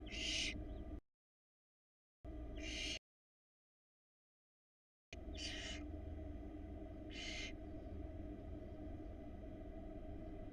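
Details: Barn owl nestling at a Florida nest box in 2022, filmed by nest camera while trying to swallow a huge rat: four short, harsh, broadband hisses, each about half a second, spaced irregularly over steady low camera hum, with brief dropouts of silence.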